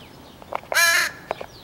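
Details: Very noisy young crow, the son of another crow, giving a single loud, harsh, drawn-out caw in the morning while being fed, with soft knocks before and after.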